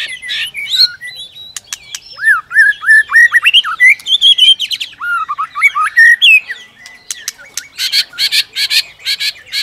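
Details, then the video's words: White-rumped shama, a female provoking rivals into competitive song with continuous clicking and tail flicking: rich, varied whistled phrases sliding up and down, mixed with sharp clicks and buzzy bursts, ending in a rapid series of harsh, broad rasping notes. "Chòe lửa kích lửa DÌU BỔI Hót ,tạch liên tục đập đuôi kích chòe lửa lên lửa hót đấu"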